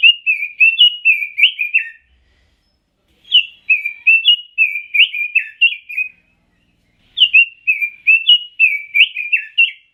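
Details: Red-billed leiothrix (Pekin robin), a songbird imported from China, Taiwan and the Netherlands, delivering three rich warbled phrases of about two seconds each, with quick rising and falling whistled notes and short silent pauses between them.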